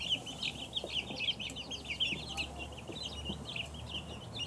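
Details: High thin peeping from a crowd of two-week-old chicks, quick downslurred notes tumbling over each other without pause, light background rumble.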